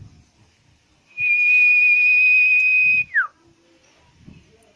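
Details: Common iora song used as bait to make a bird sing quickly: one pure, level high whistle held for about two seconds, then a sharp falling slur, with only faint low background noise.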